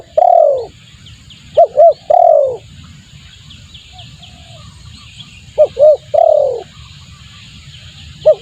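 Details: Spotted dove calling as a lure to attract doves: a long falling coo, then two phrases of paired short hooked notes leading into a drawn-out descending coo, with a quiet low background hum.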